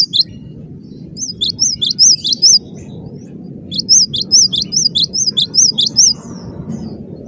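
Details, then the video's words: Cinereous tit singing intensely in a dense, rapid style: two bursts of high, sharp two-note whistles alternating upward and downward, separated by a short pause, over a steady low rumble. "Suara rapat +GACOR banget, gelatik batu gacor"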